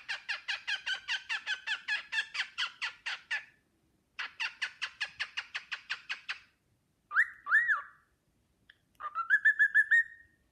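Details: Pet cockatiel whistling the Sportpalast Waltz: a run of quick, harmonic-rich notes repeated about five per second, a pause, another fast run, then two looping swooped whistles and a final rising, warbled phrase.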